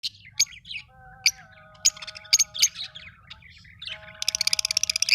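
Lovebirds give sharp, high chirps and squeaks in quick bursts, ending in a fast rattling series of chips; faint steady tones run underneath.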